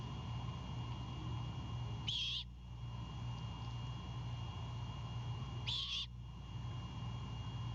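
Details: Night at a Savannah great horned owl nest, 26 March 2022: the owlet, guarding a bird brought by its father, utters two rough, breathy screeches nearly four seconds apart while a low mechanical hum continues.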